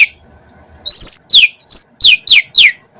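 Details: Asian pied starling after a brief quiet start giving a rising whistled slur followed by a quick series of harsh down-slurred notes.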